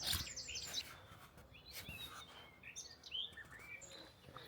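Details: A garden warbler sings in woodland at RSPB Nagshead, Forest of Dean, in May: a fast, rambling warble of rich, mellow notes running on without clear breaks, with a brief rustle at the start.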